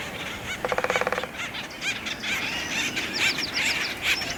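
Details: Several acorn woodpeckers in mating season causing a commotion among three trees at Effie Yeaw Nature Center, 2025: a fast low stuttering rattle, scattered squeaky calls, then a run of sharp repeated descending notes near the end.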